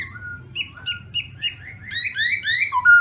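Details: Black-throated laughingthrush singing: short harmonic whistled notes repeated in a series, building into faster, louder rising-and-falling slurred phrases and ending on a clear steady whistle.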